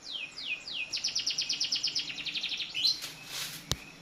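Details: White-rumped shama song meant to spur captive shamas to sing: three sweeping down-slurred whistles lead into a quick, even series of about twenty sharp high notes, ending in a hiss and a single click.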